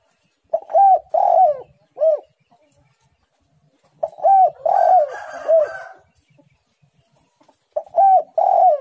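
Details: Eager spotted dove song delivered tightly: three phrases of rounded, hollow coos with a stretched middle note, spaced about three seconds apart, a brief rustling burst during the second phrase.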